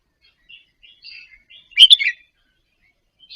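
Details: Soft practice song of a caged Indonesian-type red-whiskered bulbul, meant to stir other birds into singing: a few faint twittering notes leading to one short, loud, sharp whistled flourish.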